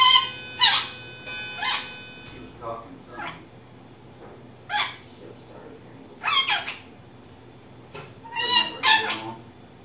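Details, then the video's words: Female pet rainbow lorikeet kept indoors, chattering in imitation of learned human phrases; scattered raspy, nasal syllables in short bursts separated by pauses, with low room hum underneath. "Lorikeet Talking"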